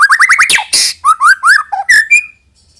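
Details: Loud white-rumped shama song, played to make young birds sing: a quick string of rising whistled notes, a harsh noisy burst, then looping rising and falling whistles ending in a high, level note.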